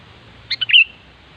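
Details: Short bubbly phrase from a wild sooty-headed bulbul: two quick clipped notes followed by a louder slurred whistled note, all within half a second, with faint low background noise.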